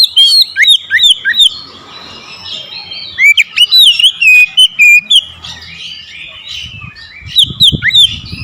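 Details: Oriental magpie-robin singing loudly and forcefully after being provoked by a rival, pressing hard and unloading its full repertoire: bursts of sharp swept whistles and snapping high clicks, a quieter pause, then a fresh burst near the end.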